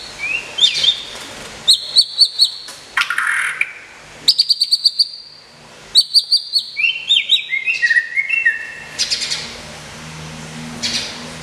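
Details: Captive prize-winning white-rumped shama under moult care sings rich, varied phrases: quick bursts of sharp repeated notes, whistled slurs and falling trills, with short pauses; its song is called a "super combo" of gombong and palang.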